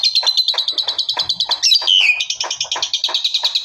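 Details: Asian pied starling, or jalak suren, delivering its loud full-shot song: a fast chattering series of high clipped notes, about three per second, broken by one sharp whistled downward slide.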